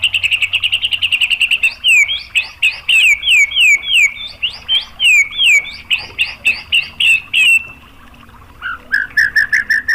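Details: Provoking song of a white-rumped shama: a quick trill of high chips, then loud downward-slurred whistles repeated in a lively run, a short silence, and a closing series of lower clipped notes.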